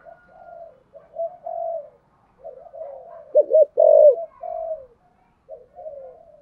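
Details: Full 'thổ sấm' style song of a spotted dove: soft murmured coos build to a loud pair of short looping notes and a long husky coo, then fade to gentle cooing.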